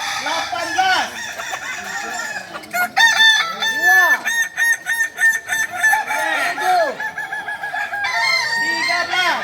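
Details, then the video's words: Kukuak Balenggek singing roosters from Solok practising performance crowing: dense, layered crows made of many short arched notes pulsing in quick succession, several birds overlapping throughout. "Latihan prestasi Ayam kukuak balenggek ayam penyanyi asli Solok"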